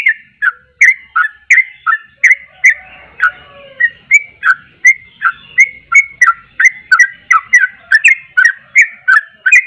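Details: Sooty-headed bulbul in full, lively song aimed at stirring up other bulbuls: steady stream of short whistled notes, falling and rising, close to three per second, with faint low murmuring in the background.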